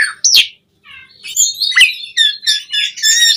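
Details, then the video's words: Asian pied starling singing vigorously, a lure recording meant to stir caged starlings to sing: harsh rasping notes, a short pause, then bright whistles and buzzy chattering phrases at a high pitch. "Suara Burung JALAK SUREN GACOR Full Isian Pancingan PENDONGKRAK Emosi Burung Jalak Agar Cepat Gacor"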